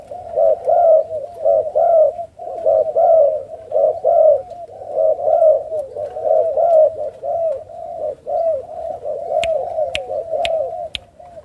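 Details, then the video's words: Farm-bred Spotted Doves, Thai and Malaysian strains, in Ca Mau, Vietnam, breeding pairs raising their own young; dense, continuous cooing from several birds layered together, with a few sharp clicks toward the end. "chim cu gáy"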